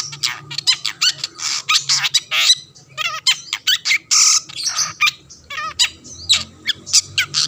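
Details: Energetic long-tailed shrike song meant to make other shrikes answer: quick, continuous stream of grating squawks, mixed with wavering trilled notes and short chirps.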